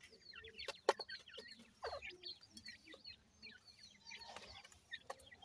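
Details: Captive partridge (teetar) chicks kept with Iranian pheasant chicks at feeding time, giving many short, high, downward-sweeping peeps that overlap irregularly, with sharp clicks and taps between them.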